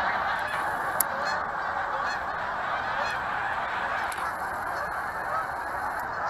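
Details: Huge flock of geese on their yearly stop, a continuous chorus of overlapping honks, slightly softer and more distant-sounding.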